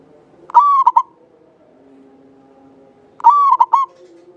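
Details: Local Javanese zebra dove, in full song, with a long clear voice used as a lure to prompt other doves to sing: two phrases, each a long level coo then two short clipped notes, over a faint low hum.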